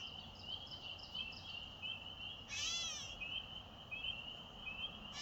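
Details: Catbird giving a single nasal, cat-like mew that sounds like a baby, a slurred arching call near the middle, over a steady high hum that runs throughout; dated May 1, 2024.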